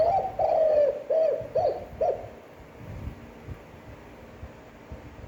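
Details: Spotted dove giving a standard, long-breathed coo used to stir up and train decoy birds: four low hooting notes in the first two seconds, the last two short and rising-falling, then near silence with faint background rumble.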